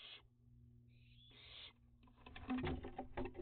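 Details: Juvenile barn owls at dusk in a summer heatwave, June 2021, flying about and visiting a bird bath: two raspy hissing screeches, then a run of clattering knocks and scuffling.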